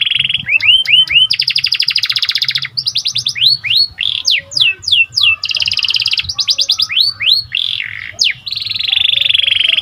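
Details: Canary of the panda (pied, symmetric) variety singing eagerly as a lure to raise other birds' excitement: looping rising whistles, long dense buzzing trills, and bouncy downslurred notes in a continuous loud, high-pitched stream.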